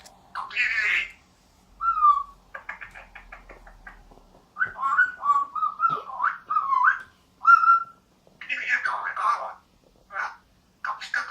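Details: Eclectus parrot, a roughly two-year-old male vosmaeri in puberty, free-flying in a living room: chatters in word-like bursts, mixing mimicked speech with rising and falling whistles and squawky notes over about ten seconds, in a quiet room.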